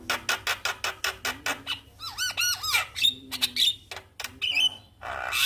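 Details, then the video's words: Javan myna responding to a lure recording: a fast string of clipped harsh notes, then arched whistled phrases and mixed squawks, grating bursts and thin high whistles. "Burung Jalak Malas Bunyi Langsung Respon Dengan pancingan jalak Kebo GAcor"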